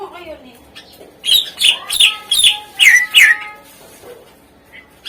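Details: Leafbird masteran song with isian, used to stir lazy birds into singing: a series of about six evenly spaced, loud chirped notes with buzzy overtones over a soft background hum.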